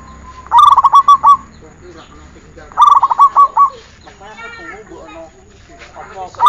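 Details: Training recording of a zebra dove: two phrases of quick, ringing pulsed coos, with another bird's wavering harmonic calls in the gap, and a third phrase starting at the end.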